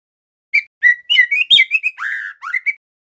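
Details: Young male white-rumped shama, a speckled juvenile, practising its song: a loud, clear phrase of short whistled notes around the mid-high range, then a rich descending warble and a few final rising whistles, in a quiet setting.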